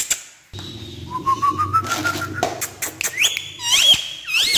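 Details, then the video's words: Indoors, a talking parrot on a stair whistles a steady string of short looped notes at one pitch, then jumps to higher, hooked whistles between sharp taps and clicks from its hopping. "Funny Jumping Talking Parrot On Stair"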